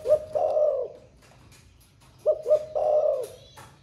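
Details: Thổ pha style spotted dove, a captive bird recently begun cooing all day: two complete phrases about two seconds apart, each two clipped coos then a long hollow coo, with light clicks.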